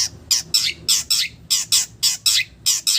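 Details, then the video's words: Harsh, rasping notes from a long-tailed shrike imitating village birds. About ten loud scratchy calls come in quick succession, often paired, roughly every quarter second. "SUARA BURUNG CENDET ISIAN BURUNG KAMPUNG"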